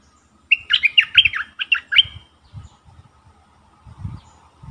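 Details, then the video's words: Decoy bulbul kept for luring wild birds: one quick phrase of bright, choppy chirps running about a second and a half, followed by soft low thumps and handling noises. "เสียงนกดอกแตงEp.68นกต่อเจ้าแบงค์ ไม่เถียงนกป่าสักคำ!!"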